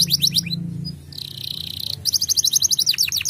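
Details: Male canary singing chirping song used to stimulate breeding drive in young canaries: rapid repeated high sweeping notes, a steady buzzy phrase in the middle, then a fast run of rising notes about eight per second.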